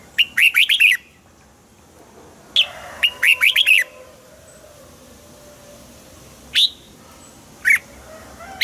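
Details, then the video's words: Caged Red-whiskered Bulbul song for stimulating caged birds: two lively phrases of quick chirped notes, then isolated single sharp notes spaced about a second apart. "นกปรอดหัวจุก | เสียงนกกรงหัวจุก ขวัญใจสายเบิ้ลอาชีพ ฟังแล้วคึกเหมือนเดิม นกไม่คึกห้ามฟัง"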